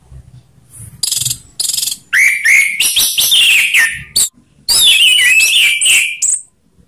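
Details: Orange-headed thrush giving ngeplong song in rough and slow styles to spur other thrushes: short clipped high notes, then long rich warbled phrases with slurred whistles, broken by brief pauses.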